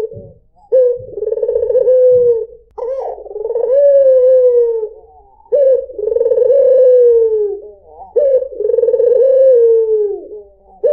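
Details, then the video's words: Low rolling coos of a white dove, used to lure other birds: long vibrating phrases with a drawn-out falling end, about four in sequence, with some low knocking sounds early on. "PANCINGAN SUARA BURUNG PUTER PUTIH || SUARA BURUNG PUTER MERDU"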